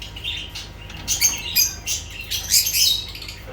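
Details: Lovebirds giving shrill, harsh squawks and chirps in irregular bursts, high-pitched and noisy, with short pauses between them.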